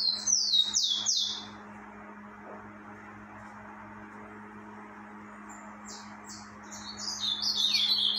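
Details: Rufous-collared sparrow singing much in its breeding season: a short burst of high slurred whistles, a long pause, then a second, louder phrase of clipped notes rising and falling; faint steady hum.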